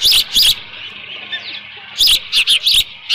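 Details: Osprey at a ranch nest camera on 13 June 2018 around 11:37 AM, with leftover fish at the nest; two bursts of high, sharp chirps, a pause, then a rapid cluster of four squeaky whistled notes with faint clicks.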